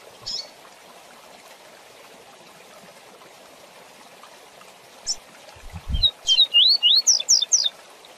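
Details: Tutor song for young seedeaters and papa-capim, fast 'tui tui zel zel' style: after long quiet with an odd chip, a brisk string of upward-sweeping whistles and sharp high notes.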